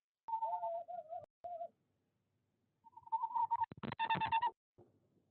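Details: Tawny owl pair in a nest box at De Mortel, 18 February 2021, as the male brings prey to the female: soft, tonal, wavering hoots dropping slightly, then rougher, noisier calls and scratchy rustling.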